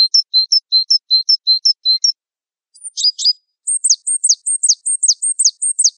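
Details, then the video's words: Gelatik wingko song for masteran: quick repeated two-note high whistles, a short burst of buzzy descending notes, then a row of sharp high chips that fall steeply in pitch, each repeated evenly. "Suara Masteran Burung Gelatik Wingko"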